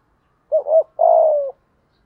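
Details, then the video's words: Decoy spotted dove in 'thúc gù' cooing, 'thổ' voice. One low phrase: a brief wavering double note, a tiny gap, then a sustained, slightly falling, throaty coo lasting about half a second. "chim cu mồi thúc gù đủ bài"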